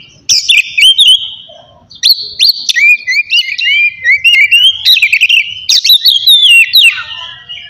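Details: Ngeplong-style oriental magpie-robin song used to provoke rival or silent birds: a varied string of clear whistles, slurred glides and harsh buzzy notes, starting after a short quiet moment and running almost nonstop.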